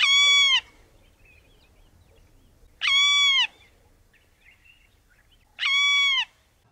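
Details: Golden-tailed woodpecker (Campethera abingoni) in southern Africa, giving three loud, nasal, squealing shrieks, each under a second long and about three seconds apart, over a quiet background.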